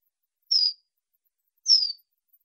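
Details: Wallcreeper giving two thin, high whistled notes about one second apart, each sliding slightly downward, in clean silence.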